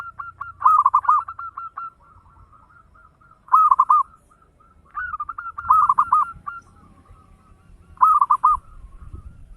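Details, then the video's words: Local zebra dove singing eagerly in the quick 'ngayer engkel' style, meant as a lure for other birds: four rolling, cooing trill phrases a couple of seconds apart, linked by softer repeated notes, faint low background rumble. "Suara perkutut lokal gacor ngayer engkel cepat mengajak gacor ampuh buat pancingan"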